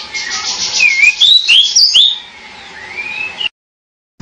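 A pied bushchat gives a quick run of short, clear whistled notes that slur up and down, then one softer rising whistle, over a steady hiss.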